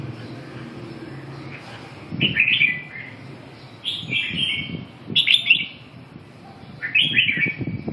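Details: Red-whiskered bulbul giving four lively, chirpy whistled phrases, each a quick bubbling burst of falling notes, separated by pauses of one to two seconds over a steady low hum.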